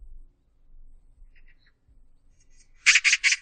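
A magpie gives a burst of four harsh, rattling chatters in quick succession after a near-silent start with a few faint, soft notes.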